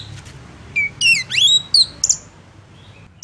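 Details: Oriental magpie-robin singing to provoke rival males into rage: a few sweeping rising whistles and sharp high notes in quick succession, then quieter scattered chips against a soft background hiss.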